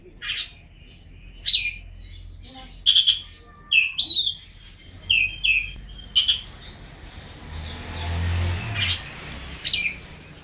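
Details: Oriental magpie-robin giving a string of short, sharp whistled and chirped notes every second or so, over a steady low hum and some background rumble.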